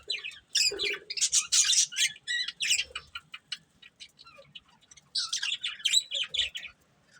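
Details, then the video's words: Breeding pair of budgerigars: two bursts of lively squeaky, buzzy chirping chatter separated by a quieter stretch of soft scattered notes. "Cute Budgies Chirping Sounds | Love Birds Breeding Pair"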